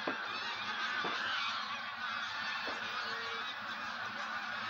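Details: Wild geese getting ready to migrate; a steady dense chorus of many overlapping honks and yelps from a large flock, forming a continuous noisy wash with a few short sharper notes.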